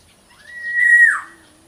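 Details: Local Indonesian oriole (kepodang lokal), a small bird, giving a single clear whistled note held level, then sliding down at the end, about one second long, in quiet surroundings.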